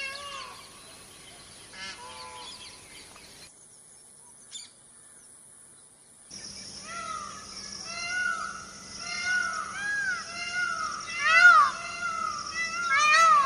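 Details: Indian peafowl calling from a distance: faint arched cries at first, then a chorus of several overlapping rising-and-falling wails over a steady hum and background noise.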